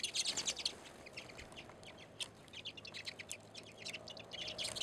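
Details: A flock of redpolls at a seed feeder on a back deck in Anchorage, Alaska, in February, chattering with dense, rapid, high dry chips and twitters overlapping throughout, over a faint low hum.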